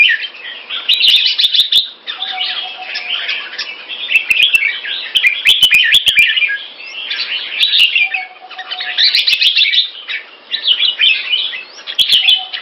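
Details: Singapore-kept Red-whiskered Bulbul with a red face delivering loud, clear song. Bursts of busy, chattering warbles and bright whistles last two to three seconds, separated by brief dips. Frequent sharp clicks and a faint low tone recur throughout.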